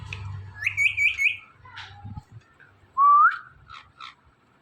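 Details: Talking Indian ringneck parakeet mimicking words and a cat's meow: a wavering rising whistled phrase with three quick pulses, a lower slurred note, then a loud upward-sweeping whistle followed by two short chirps; low background rumble.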